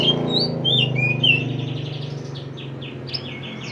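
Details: Mantenan bird from the mountains, a recording used to train songbirds: quick high chirps and short sliding whistles, then a fast run of repeated rising notes, over a steady low hum.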